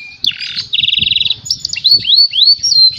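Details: Canary song to stimulate other canaries: a harsh buzzy burst, then a fast even trill of bright pulses, followed by rising and falling looped whistles at high pitch, with faint low background hum.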